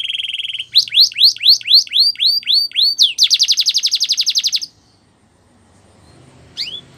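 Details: Training song of a canary: a steady buzzy note, then a run of bright rising-and-falling looped whistles about four per second, a fast pulsing roll, then near silence with one last whistle.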